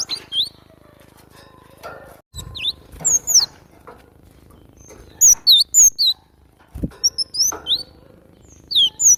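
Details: Energetic cinereous tit song for training other birds: high whistled and twisting notes in quick bursts with short pauses, interrupted by rustling, a few soft thumps and clicks, over a low steady hum.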